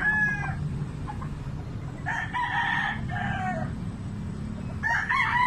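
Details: Roosters crow repeatedly, a call mostly heard in the morning; several overlapping harmonic crows follow one another, one long and loud in the middle, over a low rumbling background.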